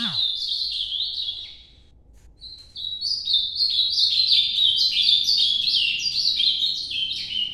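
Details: Ultramarine grosbeak in Nordeste-style 'noturno' song: a clear descending warbled phrase, a short pause with one thin note, then a longer run of rapid, stepped, whistled phrases repeated about three per second. A faint low sound occurs at the start.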